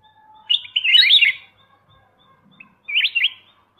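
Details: Black-crested bulbul song with one long jumbled warbling phrase followed after a pause by a shorter, clearer twisting phrase.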